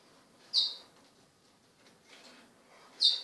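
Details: Two 16-day-old Lesser Goldfinch chicks give two brief, high, thin begging notes about two and a half seconds apart, with faint softer chatter between them in an otherwise quiet setting.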